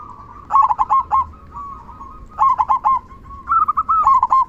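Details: Local zebra dove with a loud "kung" song, used as a master bird to stir other doves to sing: clusters of rolling, vibrating coos over a sustained humming note, several birds seemingly overlapping.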